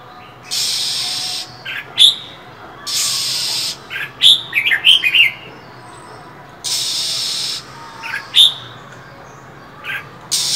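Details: Winter calling by a female Oriental magpie-robin to prompt males: three long harsh hisses about three seconds apart. Each is followed by sharp, piercing chirps, with the busiest flurry after the second.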